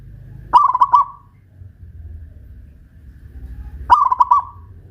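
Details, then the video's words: Caged local Pajajaran zebra dove, hoisted on a pole in Kuningan, West Java, sings twice: two short bursts of quick, rolling cooing notes about three seconds apart, over a low background rumble. "Perkutut lokal pajajaran jawa barat gacor rajin bunyi"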